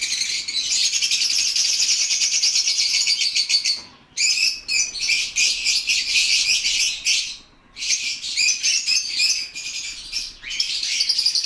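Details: Lovebirds chattering: a dense, continuous stream of shrill, rapid chirps running for seconds at a time, broken by two short pauses, a busy flock-like din.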